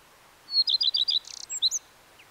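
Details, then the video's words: Common redstart song: a thin high opening note, then a run of quick, bright doubled notes, a brief rapid stutter and a few twittering notes to finish, clear against a quiet background. "The song of the Common Redstart"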